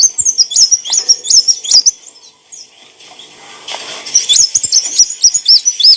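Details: Olive-backed sunbird song for training cage birds: quick high squeaky notes, each with a sharp downward flick, in two bursts separated by a quiet gap with faint hiss.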